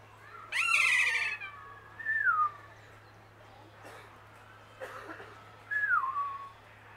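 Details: A kea at Zlín Zoo opens with a loud, harsh, meow-like cry, followed by two thinner downward-sliding whistles about three seconds apart, over a low steady hum.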